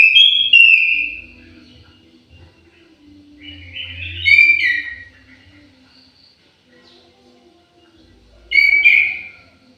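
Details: Orange-headed thrush kept in an aviary, singing melodiously: three bursts of clear whistled, slurred phrases with quick pitch changes, separated by quiet gaps of a few seconds.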